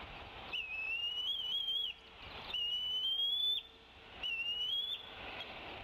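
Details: The female bald eagle at Decorah, calling away from the nest in late afternoon, 27 April 2016, while the male feeds the eaglets. Three high, wavering whistles, each rising to its end and spaced roughly two seconds apart.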